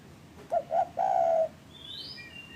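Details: Spotted dove lure call meant to prompt reluctant or untrained caged doves into calling: two short low coos, then one long, even, slightly wavering coo. A thin high whistle from another bird follows faintly.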